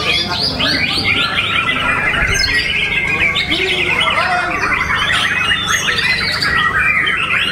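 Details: Contest White-rumped Shama in Solo, Indonesia, where the champion bird's loudness was rated above a famous rival. Loud, varied song of fast whistled notes and scratchy chatters runs nonstop, mixed with other birds and faint voices over a humming background.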